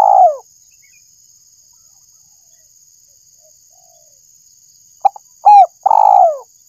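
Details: Spotted dove lure call: one descending coo, a long silence, then a quick phrase of a short note, a hooked coo and a long falling coo, over a constant high electronic tone.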